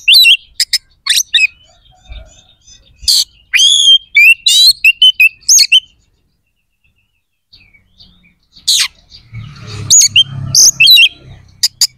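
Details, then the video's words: Oriental magpie-robin pouring out vigorous song to excite aggression and breeding urge in other magpie-robins: fast bursts of sharp chips, swooping whistles and rasping notes, a brief silence, then more chattering phrases over low rumble. "SUARA KACER GACOR🔴 AMPUH JEBOLKAN EMOSI DAN BIRAHI KACER"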